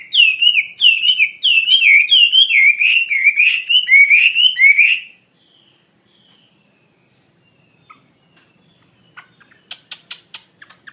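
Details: Wambi mandarin bird in full song: a fast run of looping, rising whistled phrases, each repeated roughly twice per second for five seconds, then near silence with a few faint clicks and ticks.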